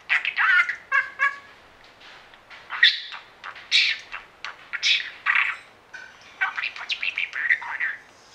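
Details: Captive budgerigar known for mimicking meows, woofs, snores, squawks and singing gives a long rambling warble of chirps, clicks, buzzy notes and sharp squawks, in bursts with short pauses, indoors.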